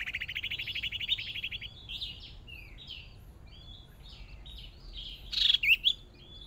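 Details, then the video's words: Hwamei decoy bird, first time out practicing in a small cage, in a fierce singing contest: a fast rattling trill opens, followed by varied warbled phrases and a few loud sharp notes near the end. "Chim Huýt Cô Mồi Mới Lên Lần Đầu Dợt Lụp Nhỏ Đấu Căng Lửa Thật"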